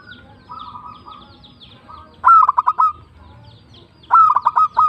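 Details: Zebra dove, local bird, singing its tumbak cucukan style: two loud phrases about two seconds apart, each a whistled opening note followed by quick staccato coos, with softer purring trills between them.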